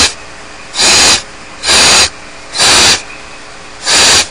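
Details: Barn owl chicks left alone in the nest at Starr Ranch, begging with harsh, broadband hissing screeches, each about a third of a second long, repeated roughly once a second over a steady background hum.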